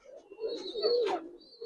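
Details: One drawn-out throaty coo from a Budapest highflyer pigeon kept in a loft, swelling in the middle and fading, with a brief rustle near its end.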